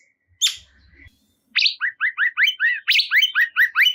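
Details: Cungkok bulbul, meant to be played to stir a kept cungkok into singing: a few low thumps and a brief high note, then a rapid run of bright, bouncing two-part chirps repeated about twice per second.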